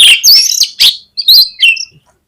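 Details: Oriental magpie-robin, a kept songbird, singing a lure song meant to spur other birds to sing: loud sharp whistled notes and rising and falling slurs broken by short gaps.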